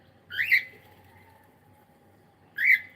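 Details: Pet cockatiel calling during a live stream: two short bright chirps rising and falling, spaced over two seconds apart, each with a faint trailing tone, over a quiet low room hum.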